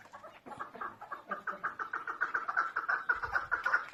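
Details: A female chukar partridge calls with rapid, evenly spaced clucking notes that grow louder and more insistent toward the end.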